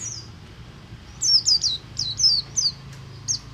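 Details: Oriental white-eye of the Buxtomi type in ngalas style, a song used to get other white-eyes singing: a quick run of high, thin, downward-slurred whistles, evenly bunched over a couple of seconds, over a steady low hum.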